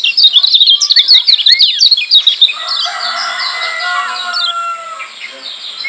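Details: Lombok white-eye training song used to provoke other white-eyes into heated singing: rapid high twittering chirps for about two and a half seconds, then long steady whistled tones held at several pitches.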